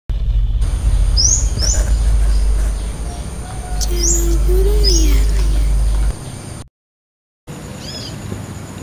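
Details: Young female brown-throated sunbird perched on a guava branch in the wild at a village in the late afternoon, singing at ease to call her companion: sharp high upslurred chirps, with a lower warbled phrase and steady low rumble behind.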